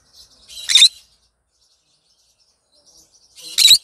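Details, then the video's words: Pet green conure in a bird room in the morning gives two harsh, shrill screeches about three seconds apart, each a brief raspy burst, with quiet between them. "Green conure sing a song in the morning"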